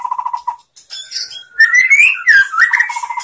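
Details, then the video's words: White-rumped shama singing, a master recording for teaching shamas: quick repeated low whistled notes, then varied rising whistles and warbling phrases. "SUARA MURAI BATU bikin GACOR BONGKAR ISIAN ¦ MASTERAN MURAI ¦ SHAMA BIRD"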